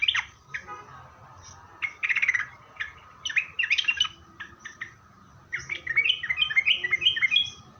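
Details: Lure song of a sooty-headed bulbul, played to get other bulbuls to respond: scattered sharp chirps building into rapid tumbling phrases of bright, slurred notes, with pauses between bursts and a faint steady hum.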